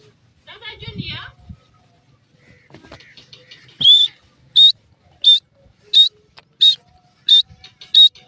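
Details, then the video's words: Francolin giving a large, loud call. A few soft scratchy sounds come first, then seven piercing high notes, short and evenly repeated about every 0.7 seconds. "tetaar ki awaz,partridge bird larg voice,teetar"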